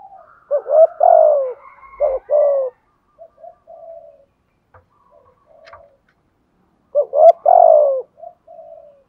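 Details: Decoy spotted dove, a "giọng thổ" voice, gives "thúc gù" cooing: two phrases of clipped double notes running into a drawn-out, downward-sliding coo. Quiet murmurs and faint clicks fill the gap between them.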